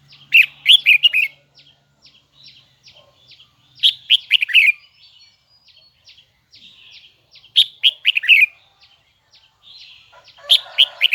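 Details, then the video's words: Red-whiskered bulbul, Huế type, kept as a songbird, giving its high doubled twisting song: rapid bright whistled phrases of four or five notes, repeated about every three seconds, with a soft rasp near the end. "CHÀO - MÀO - HUẾ Bung giọng nghe cực đã || Giọng cao kép xoắn nghe mãi không chán"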